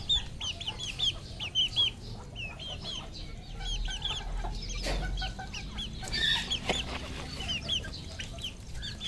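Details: Red junglefowl on a farm in Cambodia: many short, high, upslurred chirps repeated rapidly and overlapping throughout, as from several birds at once, over a low background rumble with a brief noise burst midway.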